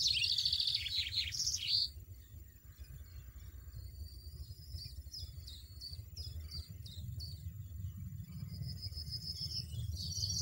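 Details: European goldfinch in the wild, singing a faint, twittering series of high tinkling notes in short bursts, with a steady low rumble of background noise underneath.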